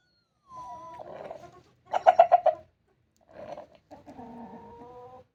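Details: Rooster making a strange straining sound, suspected of being constipated: a drawn-out nasal note, then a burst of five loud rapid pulsed clucks, followed by more strained, groaning vocal sounds.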